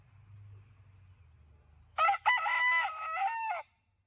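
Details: Crowing by a fighting rooster kept on a rural farm, 2020: after a quiet low hum, a loud rasping crow starts abruptly with two short bursts, then a sustained wavering note that drops off at the end.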